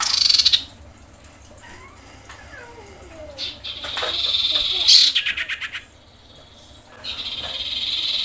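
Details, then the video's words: Breeding female common iora calling males, mixing harsh buzzy rattles, a long high drawn-out note and several sliding descending whistles, with chattering pulses between them. "SUARA SIRPU/CIPOH BETINA BIrahi memanggil jantan"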